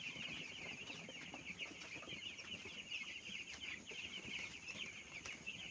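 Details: Young broiler chicks being reared on a farm: a steady wall of shrill overlapping peeps from many birds at once, unbroken throughout, with a few faint taps underneath.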